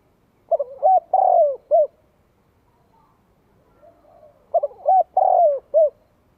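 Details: Spotted dove cooing to provoke rival birds: a low phrase of several mellow, slurred coos, the longest note sliding downward, repeated twice with a quiet gap between phrases.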